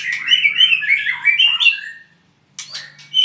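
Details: An owned albino white-rumped shama in Purwokerto pours out rapid rising and falling whistled notes for two seconds, falls silent briefly, then resumes with scratchy high notes; a low hum runs throughout.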